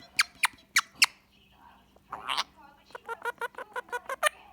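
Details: Indian ringneck parakeet kept as a pet, chattering during an evening rest with its owner: four sharp clicky notes, a brief rough squawk, then a rapid run of about ten pulsed, nasal chatter notes.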